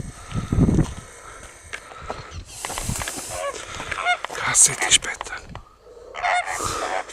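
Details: Greater flamingo calling: harsh, goose-like honks with rich overtones, loudest around the middle, mixed with bursts of broadband wind or handling noise and low thumps.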